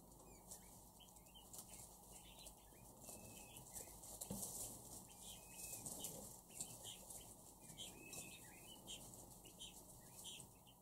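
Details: Captive crested partridges (roul-roul) in their first week of hand feeding give scattered short, high chirps and a few thin, drawn-out whistles over a steady hiss, with occasional fluttering and handling noises.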